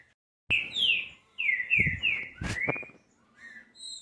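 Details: Green-winged saltator urged into song, giving bright whistled downslurred notes in a short run, then a rising slur, accompanied by dull knocking and rattling thumps from handling or the cage.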